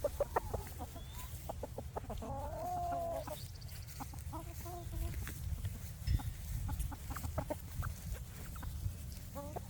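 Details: Free-range chickens foraging for bugs on a farm during the day; scattered clucks, then a drawn-out wavering cackle, followed by more irregular short clucks against constant low-pitched background rumble.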